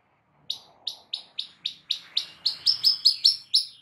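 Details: White-rumped shama song for triggering a silent bird to sing; a series of about twelve high sharp chip notes, steadily quickening and growing louder.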